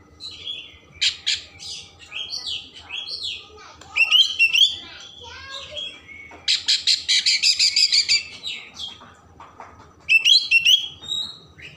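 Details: Oriental magpie-robin song meant to stimulate emotion and tail opening, with varied whistled phrases, looping bright notes and a long rapid stutter of rasping pulses, about two and a half per second.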